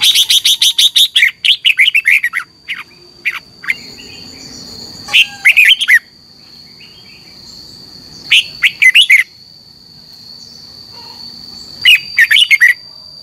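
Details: Red-whiskered bulbul morning competition singing used to train caged birds and stimulate them to sing: a rapid burst of sharp chirps, then short warbled phrases in bursts every few seconds, over a constant high-pitched whine.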